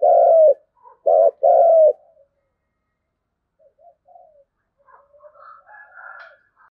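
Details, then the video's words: Lure coo of a spotted dove, "thúc gù" style with native-field voice: a loud short-long coo phrase, a brief pause, then another short-long pair, followed by faint soft murmuring notes and quiet chatter-like sounds. "Tiếng cu thúc gù hay bổi nghe ức chế gáy theo cả ngày"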